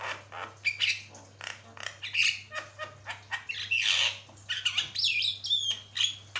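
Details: Continuous harsh chatter from a Javan myna on a tutor recording meant for training songbirds: grating rasps, clicks and a few piercing whistles follow each other without pause, over a low background hum.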